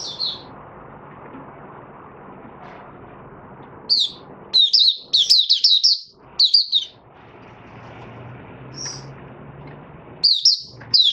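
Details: Oriental white-eye doing 'buka sing', recorded 20 January 2022 on the fifth day after monthly deworming: scattered bursts of sharp, high twittering notes, clustered in quick runs separated by silences of a second or more, with low background hum.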